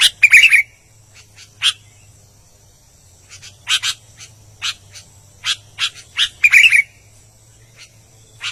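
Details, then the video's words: Albino sooty-headed bulbul in full song: opens with a bubbling whistled warble, followed by sparse scratchy notes, then another warble near the end, with a soft hum throughout. "BURUNG KUTILANG ALBINO GACOR"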